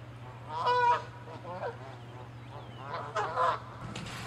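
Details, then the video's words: Canada geese fighting over territory, chasing and attacking; two separate bursts of harsh, nasal, layered honks about two and a half seconds apart, with quieter calls between and a steady low hum underneath. "Geese fighting & honking loud sounds"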